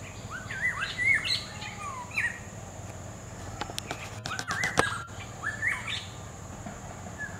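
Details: Black-hooded oriole, Oriolus xanthornus, in natural habitat: fluting, slurred whistled phrases around the low-middle range, several notes in quick succession, then a burst of clicking noise and more whistles; steady high insect hiss throughout.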